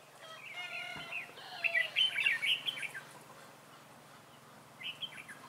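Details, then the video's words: Caged red-whiskered bulbul decoy luring wild bulbuls toward a trap, 11 December 2016; a rapid, tumbling run of bubbly notes, then a brief closing phrase, after a drawn-out harmonic call from another bird. "Bẫy chào mào Mồi tập sự ra trận"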